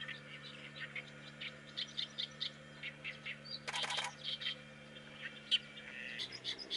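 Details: An Oriental reed warbler sings a continuous run of rasping, croaking notes, broken by a short broadband rattle, over a steady low hum.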